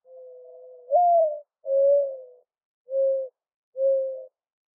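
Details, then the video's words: A mourning dove gives its mournful call: a drawn-out low note rising into a higher coo, followed by three even, hollow coos at roughly one-second intervals, with a quiet background. "Mourning Dove Call"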